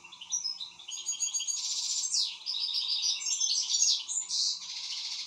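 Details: Excited European goldfinch singing continuously: bright rippling twitters, rapid repeated chirps and buzzy trills with a sweeping note, steady faint hum beneath.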